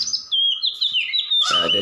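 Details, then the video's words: Brief burst of vigorous (gacor) white-rumped shama song: a clear high whistle held then wavering, ending in a louder rough noisy note. "SUARA BURUNG MURAI BATU GACOR"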